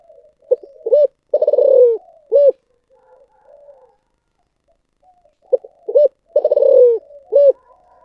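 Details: Spotted dove delivering its giọng thổ sấm call style: a few clipped notes, a rolling pulsed coo that sinks in pitch, and a rounded closing coo, the whole phrase given twice about five seconds apart with soft murmurs between.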